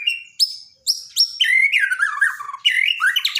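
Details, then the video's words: Borneo white-rumped shama singing daily training song for shamas that have stopped singing: three clear high whistles with sharp onsets, then dense rolling warbles and buzzy downslurs in a steady flow. "borneo dokter burung murai mandek (Masteran harian)"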